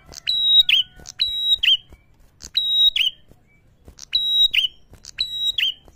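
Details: Lure call of a prinia meant to agitate rivals: five quick phrases of high chip, level piping whistle and falling buzzy note, delivered about once per second, clean with little background.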